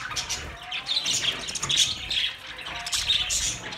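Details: Budgies twittering and squawking in a lively group, sharp high chirps coming in uneven bursts over a soft low rumble.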